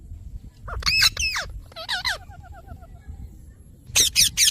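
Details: Parrot producing warbling, wavering chirps with strong harmonics, a string of small repeated wobbling notes, then three loud, harsh squawks at the end, over soft low background noise.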